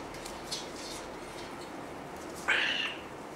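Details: Single cockatoo call during family life: one abrupt, grating screech that bends slightly downward and fades after a few tenths of a second; a faint click earlier and steady hiss throughout.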